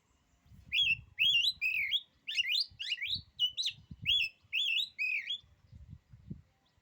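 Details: Oriental magpie-robin in a steady run of varied whistled, twisting notes, some sharply rising, roughly two per second, over low thumping background noise.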